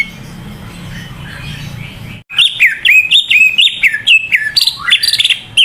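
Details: After two seconds of quiet hiss, a greater green leafbird bursts into loud song, offered as a lure for reluctant leafbirds: tumbling, varied whistles swooping up and down at a rapid pace.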